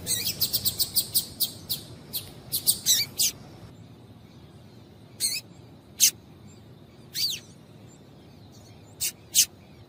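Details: Female double-collared seedeater calling to stimulate males to sing: a rapid volley of high chips at the start, then sparse single notes, one sweeping downward, over faint hiss.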